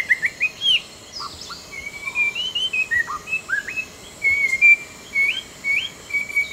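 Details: Outdoors in southern Vietnam's Langbian Plateau, an orange-breasted laughingthrush utters scattered thin whistles and upward flicks, several short level notes and brief chirps. Soft natural background noise runs throughout.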